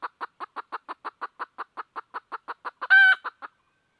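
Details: Seeking a rooster, a red junglefowl hen clucks in a fast, even series of short hoarse notes, ending with a loud, drawn-out squawk followed by two last clucks.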